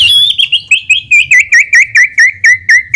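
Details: White-rumped shama song used as a lure for a quick response: a long whistled note followed by a fast series of loud, evenly spaced looping whistles that slowly drop in pitch.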